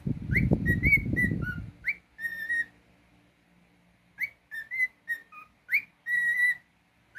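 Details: Pet cockatiel song of sharp rising whistles and drawn-out level notes, one dropping lower, following an opening stretch of heavy low rumbling noise.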